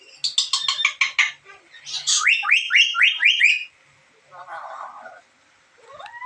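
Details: Strange calls from a black-capped lory: a quick series of buzzy notes, then repeated rising whistled sweeps, followed by softer rasping and a final upward slur.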